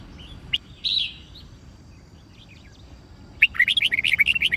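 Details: Red-whiskered bulbul contest song for training young birds: a sharp note and a slurred whistled phrase, a quiet gap, then a fast, even run of chirping notes.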